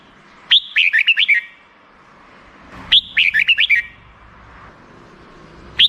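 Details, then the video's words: Black-crested bulbul repeating a rapid, jerky phrase of about six quick whistled notes roughly every two and a half seconds over steady background hiss. "suara burung merbah jambul"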